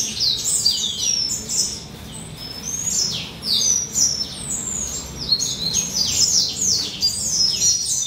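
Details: A male western citril around two to three years old sings subdued while in molt; bursts of high twittering and sharp downward-sweeping notes come in phrases separated by brief lulls near two and five seconds.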